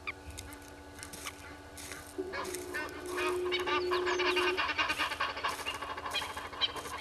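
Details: Morning at 07:13, 25 July 2021, by Gowrie dam in Djuma Game Reserve, Sabi Sand Wildtuin, South Africa: a red-billed hornbill seeking food gives a series of harsh, clucking notes that grow louder and denser, with a steady low hum behind.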